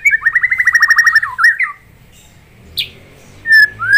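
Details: White-rumped shama, a caged bird in full song, used as master song for training other birds: a rapid run of about a dozen repeated whistled notes near mid-pitch, a twisting flourish, then pauses, a sharp high note and slurred whistles.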